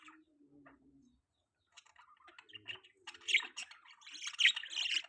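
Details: Chirping from a baby pet budgerigar: a low hum and soft noises at first, then, after a short silence, a dense run of high, rapid, scratchy chirps that grows louder toward the end.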